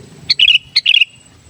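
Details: Pet sooty-headed bulbul in lively song, recorded for luring wild birds: two rapid phrases, each opening with a sharp chip and running into a bright, bubbling string of slurred whistles, against a faint low rumble.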